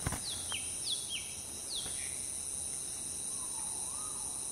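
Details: Cucak ranting (grey-bellied bulbul) calling at a roadside trapping site with a cage in Pakpak Bharat, Sumatra: several short, sharp notes sliding downward, spaced irregularly, then a soft low rising whistle, over a steady high insect drone.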